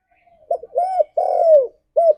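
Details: Rounded, low cooing of a spotted dove meant to encourage a caged bird to sing: a soft double note, a hollow coo, a long falling drawn-out coo, then one short closing note.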